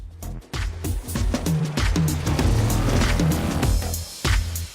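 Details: Loud electronic music with heavy low beats and sharp percussive hits, with no animal voice standing out.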